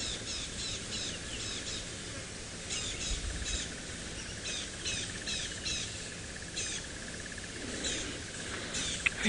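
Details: Several tawny-flanked prinias flying around on safari give sharp, high, repeated alarm notes in quick bursts at a nearby leopard, over low background rumble and a steady high buzz.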